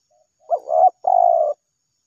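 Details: Spotted dove, known locally as tekukur, calling in response to a lure: a short low hoarse coo, then a brief break and a longer steady cooing phrase that falls gently at the end, with clean quiet surroundings.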